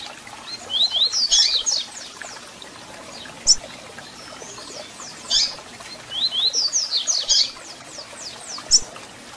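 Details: Double-collared seedeater song repeated twice, played to warm up a captive bird: each a rapid cascade of high slurred whistles lasting about two seconds, separated by single sharp chip calls over faint background hiss.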